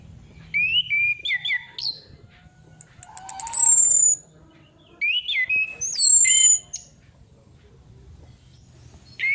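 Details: Orange-headed thrush female, played as a lure: repeated phrases mix jumpy, warbling mid-pitched whistles with thin, very high downward sweeps, each phrase separated by short pauses, several phrases in all.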